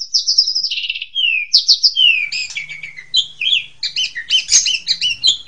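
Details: Young-bird training master of Asian pied starling: rapid varied chatter of whistles, slurs and rasping notes, loud and busy throughout, faint low hum beneath.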